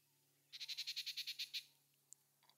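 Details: Altamira oriole building its nest in Reserva Natural Heloderma, Zacapa, Guatemala, giving a quick, harsh chatter of about eleven even, high notes lasting about a second, followed by a couple of faint single chips.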